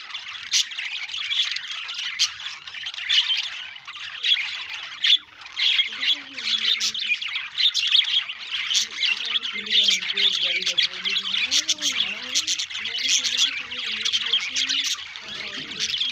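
A budgerigar chirps and chatters nonstop in a busy stream of high, scratchy warbles and squeaks.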